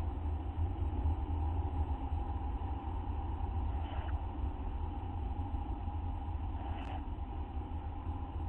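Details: Constant low engine-like hum with two faint soft noises; no animal calls.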